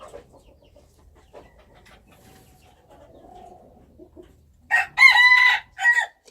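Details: Wild chicken (qaib qus in Hmong) after faint scattered clucks, bursting into a loud crow of about a second, then a short harmonic tail note.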